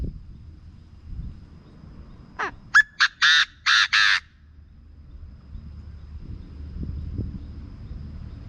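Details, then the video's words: Field quail call used as a lure to excite birds for trapping: a short burst of about six harsh, broadband notes, the later ones longer and buzzy, packed into under two seconds, then quiet low rumble. "เสียงนกกระทาทุ่ง เหมาะสำหรับต่อและเปิดให้นกคึก"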